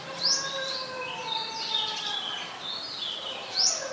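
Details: Olive-backed sunbird, mangrove forest at the Sirinath Rajini centre: a bright upward-flicking chip opens and closes the passage, with twittering and drawn-out sliding whistles of other birds between.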